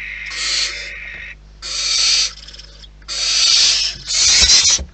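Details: Wild barn owls at the nest produce drawn-out rasping hisses, four noisy bursts of roughly a second with brief pauses, the last overlapping rustling and scratching sounds.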